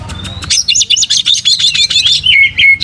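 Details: Caged white-rumped shama with open tail delivering a quick, even series of repeated clipped notes in a steady rhythm, ending in two short falling whistles.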